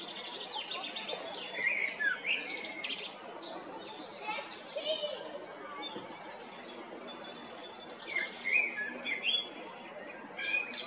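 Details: Male common blackbird, Zagreb, Croatia, spring 2022: repeated bursts of warbling and high twittering notes separated by short pauses, set against steady ambient noise.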